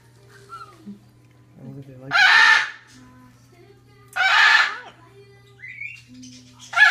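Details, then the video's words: A male macaw gives three loud, harsh, raspy bursts about two seconds apart, a hoarse attempt at 'hello' said when his owner comes around, over a low steady hum. "Macaw Says Hello"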